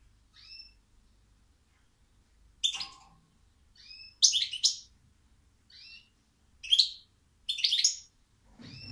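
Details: Sparse goldfinch phrases: soft, rising whistled notes alternate with sharp, bright chattering bursts about every second, with silent spells in between.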